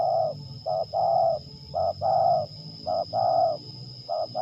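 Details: Lure spotted dove from Liwa in West Lampung, Indonesia, during a test bout, repeating mellow coo phrases of one brief note followed by a longer, fuller note, nearly one per second, over a low hum and high steady tone.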